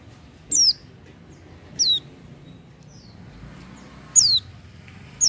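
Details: Oriental white-eye (pleci) singing actively without doping, giving four piercing high chirps that drop quickly in pitch, irregularly spaced between about one and two seconds apart over a soft background hum.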